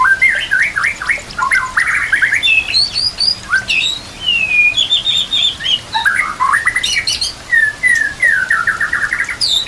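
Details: White-rumped shama song for training other shamas, set with nature sounds and trickling water. It is a rich, varied run of clear whistles, rising and falling slurs, and rapid repeated notes over a constant rushing water background.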